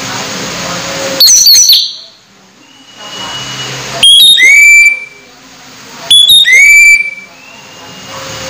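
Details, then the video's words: Orange-headed thrush close to moulting yet still singing keenly: three loud bursts of clear whistled phrases, each with quick rising and falling notes and a sliding tail, coming about every two and a half seconds with quiet gaps between. "Anis merah hampir mabung masih gacor"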